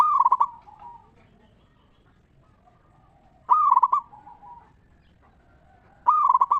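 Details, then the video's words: Local zebra dove in the ngeristal singing style, used as a lure to stimulate other zebra doves to answer: a mellow trilled coo phrase repeated about every three seconds, each ending in softer trailing notes. "Perkutut Lokal Gacor RAJA PIKAT Suara Ngeristal Paling Ampuh Bikin Semua Perkutut Nyaut Gacor"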